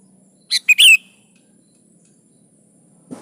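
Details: A single short 'gacor' phrase from a sooty-headed bulbul, used as a lure for caged kutilang: three quick bright notes, the last slurred and strongest, then silence and a soft knock.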